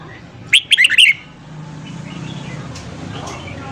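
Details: Red-whiskered bulbul morning song, used to train and fire up a newly caught bird: a single quick burst of five or six loud, slurred whistled notes, then only a low steady background hum.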